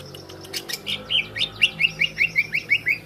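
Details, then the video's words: Greater green leafbird call used as a lure to provoke other leafbirds: a quick burst of chirps, then a run of about a dozen bright, clipped, slightly slurred notes, roughly six per second. "Masteran/pancingan cucak ijo langsung emosi"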